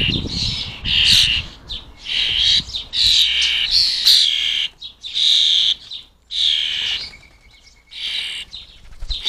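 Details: Wild fledgling starlings being fed in a British garden repeat loud, grating begging squawks about once a second, each burst wheezy and buzzy, broken by short pauses and a faint high trill.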